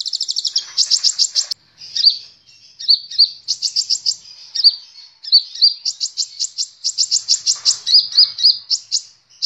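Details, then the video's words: Sunbird sings a very high, fast song of buzzy trills and sharp chirps, nearly unbroken, with short twittered notes between rapid rattling bursts; used as a lure song to make other birds sing. "Masteran Burung Kolibri Ninja"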